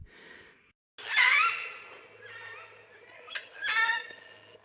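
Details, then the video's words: In woodland at Mount Lawson State Park, on a cold, icy day after suspected overnight rain, cockatoos give harsh, raspy screeches, two loud bursts about two and a half seconds apart with quieter grating calls between, seemingly shouting to warn off a passing cyclist. "I'm pretty sure these cockatoos are shouting at me, trying to warn me off."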